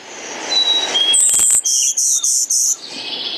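Golden-winged Warbler: a thin, high buzz followed by four lower buzzy notes, evenly spaced about a third of a second apart; other birds whistle faintly behind.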